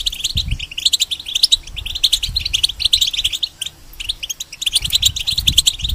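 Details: Caged European goldfinch used to tutor young goldfinch hybrids, singing a fast, tinkling, twittering song of clipped metallic notes in dense bursts, with a brief pause midway and low knocking sounds in the background.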